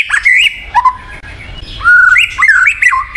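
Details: White-rumped shama song meant to coax a silent bird into singing, made of loud, varied whistled phrases that slide up and down, with a brief quiet pause in the middle.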